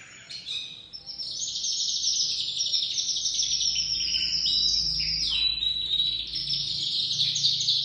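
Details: Young crested white domestic canary beginning to sing: a continuous high warbling stream of rapid trills and buzzy rolled notes, steady and unbroken after a short start.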